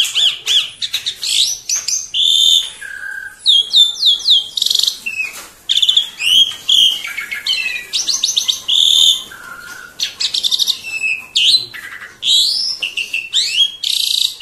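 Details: A pet Asian pied starling, which calls very noisily whenever visitors or strangers arrive, pours out a fast, varied jumble of shrill whistles, squeaky chatters and harsh rasping notes, almost without pause, high-pitched throughout.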